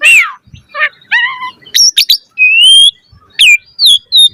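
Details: Asian pied starling singing mixed notes: a slurred whistle, short nasal chirps, quick sharp notes, a long rising whistle and several brief downslurred whistles.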